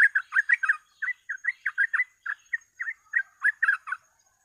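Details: Sooty-headed bulbul pouring out rapid gacor ropel song for luring birds: loud clustered chirps at first, then spaced bubbly notes with brief gaps, all at mid pitch, a faint steady high whine underneath.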